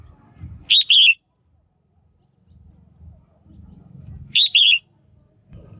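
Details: Female red-whiskered bulbul giving a call meant to stimulate males or for pairing: two bright twin-note whistled chirps about three and a half seconds apart, with low rumbling background noise between and after them.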